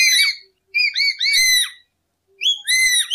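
A lory gives loud, ringing, harmonic squeals and whistles in bursts of about a second with short gaps between, sliding up and down in pitch.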